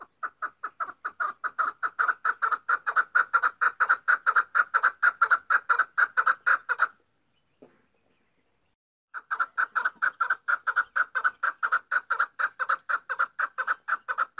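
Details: Female chukar partridge (chakor) calling: a rapid, steady series of harsh clucking notes, about two per second, running for seven seconds, a two-second pause, then the same chattering series resuming.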